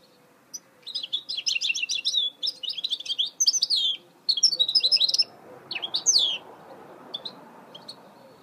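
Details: Goldfinch mule (hybrid) song from 2018: a sustained run of fast, high chattering twitters with buzzy and slurred notes for about five seconds, then a few scattered swooping notes before it trails off.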